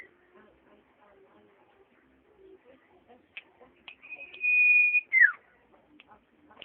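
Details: Common iora, called cipoh, singing a long, steady, high whistle held for about a second, then a quick downward-sliding note, among soft scattered clicks and chatter.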